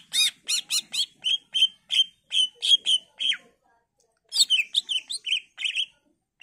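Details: Varied song of a greater green leafbird for luring other leafbirds to answer: fast chattering notes giving way to evenly spaced bright whistles, a pause, then a dense tumbling warble of mixed chirps.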